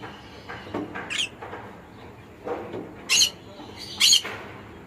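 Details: Faint scratchy chatter first, then two loud, grating conure squawks about a second apart.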